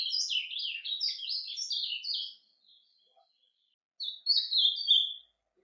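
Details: Ultramarine grosbeak singing its surdina song in nature: a rapid, high twittering warble of short chirps and slurred notes for about two and a half seconds, a pause with a faint note, then another brief twittering burst.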